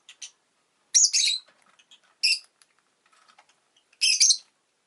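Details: A pet rosy-faced lovebird gives raspy, high chirps, some doubled into longer buzzy bursts, at intervals of about a second, with soft scattered clicks and rustling between calls.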